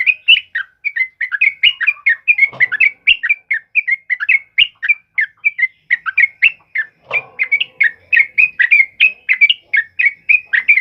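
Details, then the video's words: Sooty-headed bulbul delivering the loud ropel uplik song used for training other birds: a long, dense stream of bright, slurred whistles, almost continuous, with two brief low thuds. "Suara TRUCUKAN ROPEL UPLIK Lantang Keras Buat Masteran"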